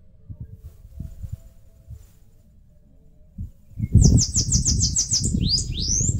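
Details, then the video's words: After quiet low thumps, a Bananaquit at its nest in a mandacaru cactus in northeastern Brazil bursts into a quick series of high, buzzy notes ending in two rising squeaky slurs; rumbling noise returns with it. "CANTO do CAGA-SEBO (SIBITE, CHUPA CAJU..)"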